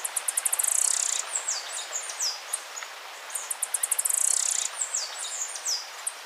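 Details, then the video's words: Spotted tanager singing a very high, thin phrase: a rapid run of sharp ticking notes that speeds into a sibilant trill, then a string of short descending slurred notes. The phrase is given twice in about six seconds. "O canto da Saíra pintada"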